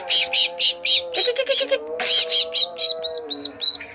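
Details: Greater green leafbird, one of twelve birds in full song, repeating loud, rich chirping notes about four times a second, briefly switching to a rapid lower trill, then resuming the chirps and ending in short hooked whistles.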